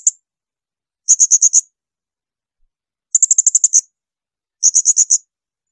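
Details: Shrill bursts of a blue-crowned hanging parrot, meant as training material for other songbirds: short volleys of very high, piercing, evenly spaced notes, four to eight per volley, with clean silence between them.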